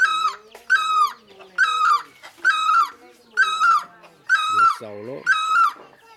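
Great barbet giving loud, nasal, mewing calls, each rising then falling, repeated about once a second. A lower wavering call briefly overlaps near the end.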